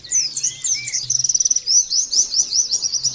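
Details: Oriental white-eye (pleci) in fast "nembak" singing for training other birds: continuous shrill, high twittering with swooping whistles, a rapid stuttering trill of about ten notes, then a string of quick rising chirps.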